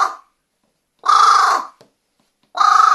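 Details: Captive carrion crow indoors in Japan, January 2020, giving loud drawn-out hoarse caws, one lasting about half a second with a rough pulsing texture, separated by short silences.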